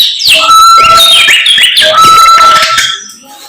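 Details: Samyong bird in energetic morning song, a steady clear whistled tone running under busy, warbled flourishes and sweeps, then trailing off into quiet.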